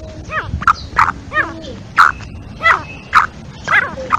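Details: Female black francolin in an excited calling bout: clipped, emphatic notes spaced about half a second apart, interspersed with softer slurred chatter over a steady low hum.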